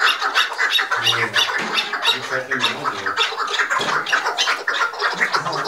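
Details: Five chukar partridges squabbling together in an agitated fight: dense, rapid, harsh chattering squawks repeated nearly twice a second, with a low human voice speaking over part of the commotion.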